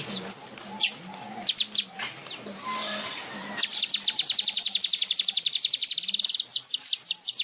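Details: A weaver (manyar) singing vigorously while flapping its wings opens with scattered high chirps, then a fast, even run of sharp ticking notes ending in thin whistles; a low hum sounds early on.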